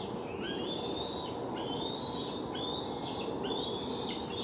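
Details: Bald eagle nestlings close to fledging, noisy and hungry at a Delta nest on July 12, 2020, with wing flapping; drawn-out high whistled squeals, rising and falling, repeated over heavy constant noise.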